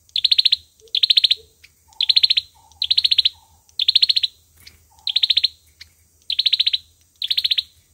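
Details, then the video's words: Olive-backed sunbird delivering its fighting song as a trapping lure: eight high, rattling trills about once a second, accompanied by several soft lower chirps between phrases. "Tiếng chim sâu dừa | sâu dừa hót đấu | tiếng sâu dừa mồi"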